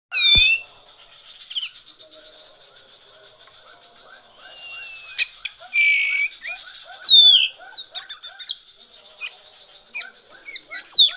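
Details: Oriental magpie-robin singing in the konslet style: loud, clear whistled notes sliding up and down, sharp high flicks and a burst of quick varied phrases near the end, over soft repeated lower chirps and a steady high hum.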